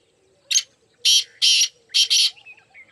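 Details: Black francolin, one of four birds, calling: a short sharp note, then two long harsh rasping notes, then a quick doubled rasping note with a brief fading tail; faint low hum in the background.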